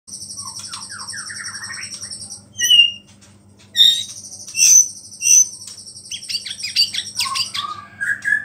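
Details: White-rumped shama singing energetically, its song filled with small-bird mimicry and meant to provoke other shamas. Sparse high sharp notes and short slurred phrases over a steady high-pitched buzzing band and a low electrical hum.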